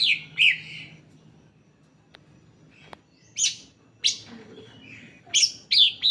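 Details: Greater green leafbird lure song meant to set other leafbirds singing: loud, high, sharp notes and slurred whistles falling in pitch, spaced irregularly with a long quiet gap containing two soft clicks.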